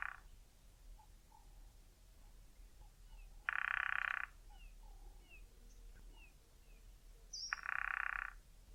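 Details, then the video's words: Drumming of a male Cardinal Woodpecker against a dry tree trunk, used to claim territory, attract and stay in touch with a mate; three brief rapid rolls roughly four seconds apart, with faint high chirps of other birds between. "CARDINAL WOODPECKERS male drumming"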